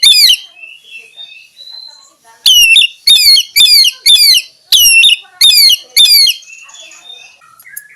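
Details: Oriental magpie-robin, kacer, a champion songbird, singing loud repeated whistled notes with harmonics, each sharply falling then rising, delivered in a rapid series after a quieter opening warble, with softer chatter between phrases.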